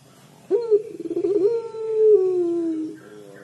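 A collared dove gives one long, drawn-out mournful coo, held for over two seconds and sliding slowly lower before fading. There is faint background hiss.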